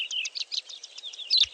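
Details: South African Melodious Lark song, mimicking European bee-eaters and cloud cisticola: a rapid, jumbled run of high, buzzy chirps and short whistled notes, packed densely together, ending in a sharper squeaky phrase.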